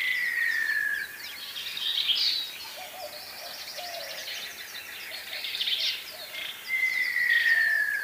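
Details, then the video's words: Montezuma quail: two long, slightly quavering whistles sliding downward in pitch, one opening and one closing the passage, over busy chattering and twittering from other birds. "Montezuma Quail"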